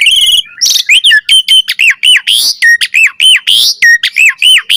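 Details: Jalak suren, Asian pied starling, in full-variation gacor lure song: a dense run of loud arched whistles around mid pitch, each one rising then dropping, delivered almost without pause alongside harsher squeaky notes.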